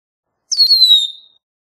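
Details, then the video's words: A single Red-winged Blackbird note: a pure, piercing whistle starting high, sagging fast, then trailing gently downward for nearly a second against a silent background. "Red-winged Blackbird Song! Red-winged Blackbird Call!"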